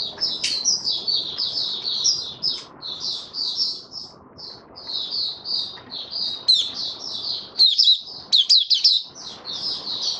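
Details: Male white-eye settling into his opening song: long stream of quick, high twittered notes in short bursts, interrupted by loud clicks and brief gaps toward the end.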